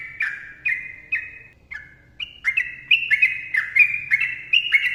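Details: A sooty-headed bulbul gives its long 'ropel' song, starting with spaced, mellow whistled drops and then quickening into a tight run of bubbly, warbling notes.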